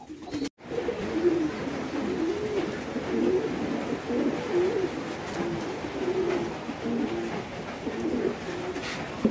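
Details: Many domestic fancy pigeons at a pigeon farm in Bangladesh, low overlapping coos rolling and rising and falling almost without a break, a thick murmuring chorus with a brief knock near the start.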